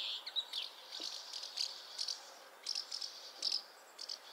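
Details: Dry, rattling chirps of a house martin come in small bursts, two or three notes at a time, with short quiet spaces between groups.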